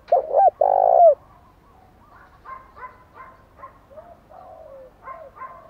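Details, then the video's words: Spotted dove cooing meant to provoke wild birds: one loud phrase of two short notes and a drawn-out falling coo, then softer repeated chirps from other birds and faint coos in the background. "Tiếng chim cu gáy thúc đấu rú bổi gây ức chế rất cao, bổi lỳ mấy cũng gáy theo liền"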